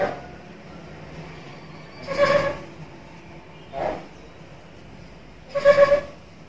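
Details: Captive, talkative black-capped lory (Lorius lory) kept as a training or bait bird, giving three harsh, nasal squawks with a buzzy, rasping edge, spaced about a second and a half apart, over a quiet background hiss.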